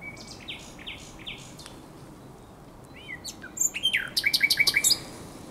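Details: Common nightingale at the Żerań Canal, night of 23–24 April 2022, starts softly with repeated sliding notes and a pause, then bursts into a loud, rapid volley of about ten ringing, clicking notes.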